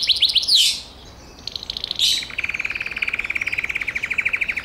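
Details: Gloster canary singing: a quick burst of notes with a rushing buzzy flourish, a pause, another flourish, then a steady rapid trill of evenly repeated lower notes.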